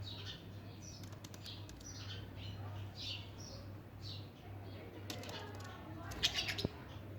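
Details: Budgerigars playing together chatter in quick, warbling chirps over a steady low electrical hum.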